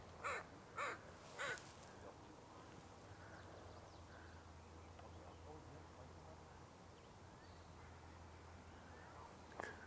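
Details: American crow on a spring morning at Sargeant Bay Provincial Park, British Columbia, Canada, April 30: three harsh, nasal caws about half a second apart, a low rumble, then one faint caw, with other crows calling nearby.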